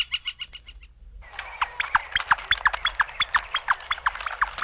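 Northern Flicker giving a loud, steady run of ringing notes, about four each second, after a brief burst of quick, higher clicks at the start.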